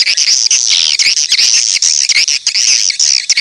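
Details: Edible-nest swiftlet lure call, played to attract swiftlets, from 2023: continuous dense high buzzy chattering twitters, rising and falling in overlapping waves with brief gaps, and no other sounds.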